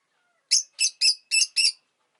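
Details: Rosy-faced lovebird kept as a pet, five loud, harsh high-pitched chirps spaced about a quarter second apart, each short and buzzy, against a quiet background.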